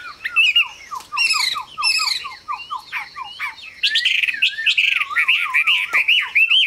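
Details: Chinese hwamei in full song: a run of quick repeated downslurred whistles, buzzy trilled bursts, then wavering looping whistles and rising phrases, energetic and varied.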